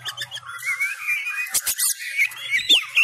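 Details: Caged Sumatran white-rumped shama practising its fighting song at home: sliding whistled notes and quick rising and falling sweeps, interrupted by sharp clicks and a brief scratchy burst.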